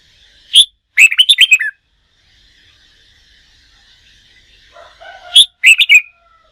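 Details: Wild-caught red-whiskered bulbul in contest-song training: a sharp high note, then a rapid rattling, warbling phrase, repeated after a pause. A softer, lower-pitched bird calls faintly in the background.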